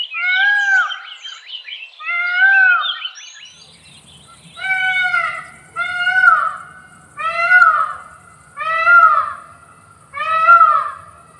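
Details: Male Indian peafowl (Pavo cristatus) gives about eight loud, nasal, wailing calls, each rising then falling, roughly every second and a half; a powerful, high call that can carry over a great distance.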